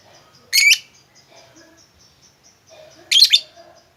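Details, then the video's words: Lovebird sound played as a lure to get a quiet lovebird singing a long 'ngekek' chatter; two short harsh, buzzy chirp bursts about two and a half seconds apart, with faint high twittering in between. "lovebirdmu loyo malas bunyi jadi gacor ngekek panjang seketika dengan pancingan ini"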